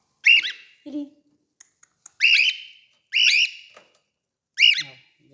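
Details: Cockatiels during feeding give loud, rising-and-falling whistled calls, repeated about once a second.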